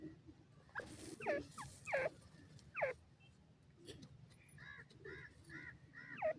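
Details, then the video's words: Teetar partridge giving several sharp descending notes early on, then a run of softer arched, mewing notes in quick succession, over a low background hum. "teetar awaz"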